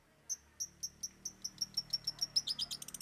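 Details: Long-tailed Shrike (cendet) singing with three fill-in imitations: a thin, high ticking series that speeds up steadily from spaced notes into a fast, slightly lower trill at the end.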